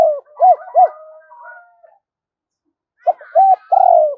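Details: Spotted dove decoy cooing in two bursts of the double-voice 'giọng đôi' pattern: short arched coos and a long falling buzzy coo. Soft breathy background notes run beneath the first burst.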